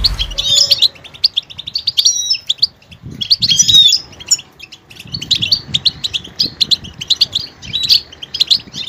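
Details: Goldfinch singing a varied song that switches between different sounds: bursts of high, bright twittering notes and short chirps in clusters, with brief pauses between phrases and faint low background noise.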